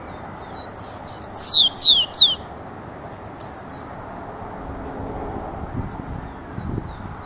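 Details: Rufous-collared sparrow singing a short song: a few clear whistled notes, then a run of about five sharp descending slurred notes over roughly two seconds, followed by quiet background hiss with faint distant sounds.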